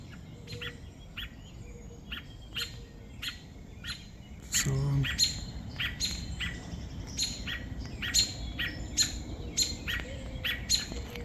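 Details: Robin in distress after a crow carried off its two babies, one morning: rapid, sharp, high chips in an uneven series, with a louder burst midway and a steady low background hum.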